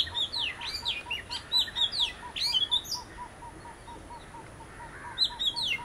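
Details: Oriental magpie-robin from a visiting pair giving rich, varied whistled phrases with upward and downward sweeps, while a soft low note repeats steadily about every quarter second underneath.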